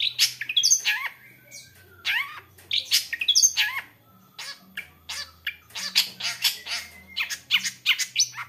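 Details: Long-tailed shrike in full song, pouring out fast, varied, richly filled phrases of sharp chattering bursts, rising and falling whistles and harsh squawks in dense clusters over a faint low hum.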